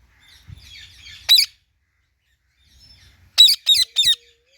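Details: Indian ringneck parrot murmuring a soft scratchy chatter, then one sharp shriek; after a short quiet spell come three loud harsh screeches in a rapid row.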